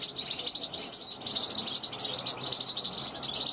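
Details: Balcony-kept European goldfinch born in 2021 calls toward wild goldfinches going by; quick tinkling twitters with clear whistled upslurs, delivered in a steady lively flow.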